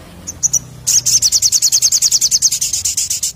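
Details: Crimson sunbird in energetic ngleper ngalas song: a few soft chips, then a loud, rapid, steady high trill of around twenty-five notes over two and a half seconds.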